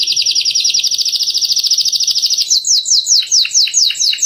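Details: Canary in full song, played as master audio for training birds: a long, rapid, rolling high trill lasting over two seconds, followed by a run of sharply descending whistled sweeps, roughly three per second.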